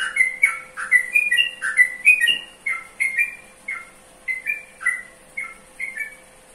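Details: A trucukan's bubbling song: bright slurred whistles tumble quickly at first, then slow to evenly spaced paired notes about every half second, fading out, steady faint hum in the background.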